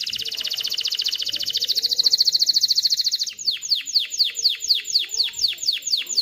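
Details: Canary singing to stimulate females and teach young to sing: a rapid high trill swelling in volume, then a slower series of downward-sweeping notes about three per second.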